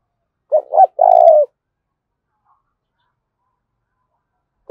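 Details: A spotted dove's aggressive 'thúc' call in thổ pha đồng voice: two clipped notes then a long hoarse coo, followed by about three seconds of silence before the next phrase begins.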